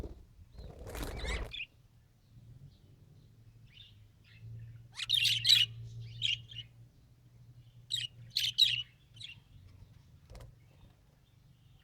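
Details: Budgie trying to talk, giving two short bursts of fast, high scratchy chatter over a steady low hum, after an opening rustle.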